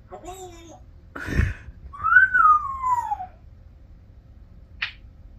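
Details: Nine-year-old pet African grey parrot, a talking bird given to laughing and talking rants, indoors: a long, clear whistled note that rises, then slides down over about a second, after a short breathy burst, ending with a brief sharp click.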